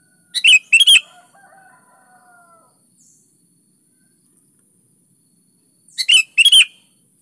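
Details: Kutilang, the sooty-headed bulbul, singing lively 'gacor' phrases meant to coax other bulbuls to reply: two-part chirpy bursts at start and end, with a faint lower drawn-out whistle trailing after the first.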